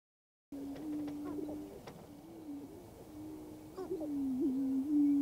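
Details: Prairie chickens dancing on a lek in western Minnesota on April 11, 2024. After a short silence, low, hollow, sustained moaning tones hold steady and overlap. Brief higher cackling notes break in, and the booming swells louder toward the end.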